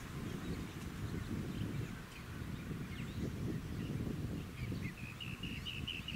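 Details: Rainbow bee-eater recorded on Bribie Island, Queensland, October 2019: faint scattered chirps early on, then a clear closing burst of quick rolling trills near the end, all over a strong low rumbling noise.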